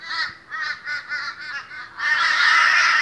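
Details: Morning gathering of very boisterous Australian crows: a regular run of drawn-out, nasal, wobbling caws, about four each second, swelling into a dense overlapping chorus of many birds.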